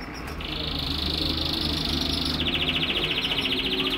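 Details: Captive-bred canary from a home breeding stock, recorded in March 2008, singing a fast, high, steady trill for about two seconds that then switches to a slower, pulsing rolled trill, over a low constant hum.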